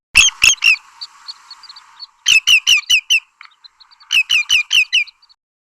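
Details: Common Greenshank, a southern African bird call: loud, ringing, slightly descending 'tew' notes, first a pair and then two quick runs of five, with faint thin twittering in the gaps.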